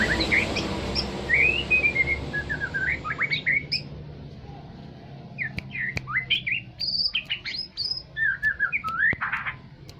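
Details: White-rumped shama (murai batu) of the Aceh type, used as a lure to provoke other birds: loud jumbled song of sharp chips, slurred whistles and harsh bursts, first over heavy background noise, then clearer with scattered clicks.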